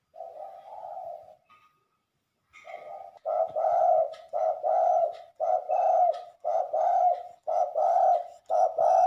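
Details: Spotted dove kept as a lure bird in Liwa, West Lampung: after a pause, a steady series of short, soft, low coos repeated roughly once a second, clear and close against a quiet indoor background.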